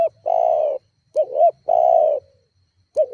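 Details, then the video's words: Spotted dove calling persistently as a lure to provoke rivals: a long, steady, level coo, then a short doubled hooked note, then another long coo. Quiet surroundings otherwise. "Suara tekukur GACORR menekan emosi lawan"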